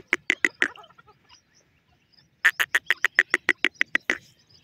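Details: Fast, dry 'tik tik' series from a partridge (teetar): four clucking ticks, a pause, then about twelve rapid ticks at a steady pace of roughly four per second.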